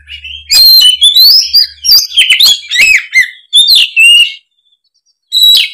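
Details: Oriental magpie-robin in open, loud 'gacor ngeplong' song, a lure for young spotted kacer; about four seconds of rapid, varied whistles and scratchy notes in close bursts, then silence and one last short phrase.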